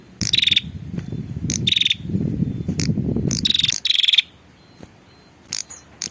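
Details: Female prinia call for luring males: buzzy pulsed rattles repeated in quick pairs over loud low rumbling noise, then quieter with a few high ticks.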